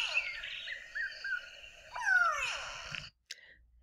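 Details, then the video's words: A Grey Go-away-bird in Botswana gives harsh, nasal, drawn-out calls ending in a long downward-sliding wail that sounds like "go away", over a faint background hiss. "it's called the gray go away bird and let me play that call for you [Music] and"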